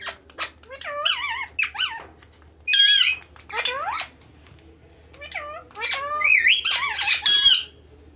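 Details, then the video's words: Dancing pet parrot talking indoors: bursts of warbling, speech-like syllables and harsh squawks separated by quieter pauses, over a low electrical hum. "Talking And Dancing Pet Parrot Talking Very Well"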